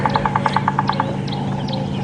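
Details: A bearded woodpecker drums on a morning safari drive at Djuma Game Reserve, 25 November 2015: a quick, even roll of about ten knocks in one second. A steady engine hum and faint calls of other birds run underneath.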